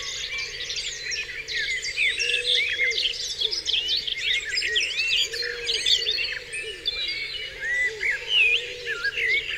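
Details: Numerous birds in the dawn chorus on Dewlands Common, with bright whistled phrases, high twitters and repeated lower rounded notes under a continuous soft hum.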